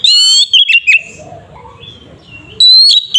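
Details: Oriental magpie-robin giving fighting-style lure song to make another bird emotional: a bright ringing whistled phrase with high overtones, two short slurred notes, a long soft gap with faint background, then another strong whistle.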